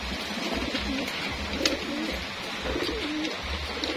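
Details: Racing homing pigeons during their indoor feeding routine give low, soft coos: two short rolling phrases a couple of seconds apart, over a steady hiss and rustling.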